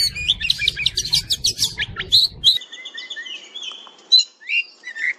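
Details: Oriental magpie-robin masteran song: fast scratchy chatter and mimicked notes, then clear drawn-out whistles and short slurred phrases after a background hum abruptly stops.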